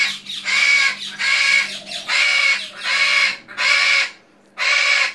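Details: A military macaw kept at a zoo screams in harsh, raucous bursts about once a second, each a loud grating squawk lasting half a second or more.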